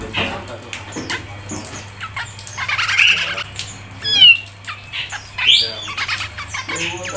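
A grey-cheeked bulbul gives harsh, squawky chattering with sharp, high, sliding chirps in quick bursts. A low steady hum runs underneath.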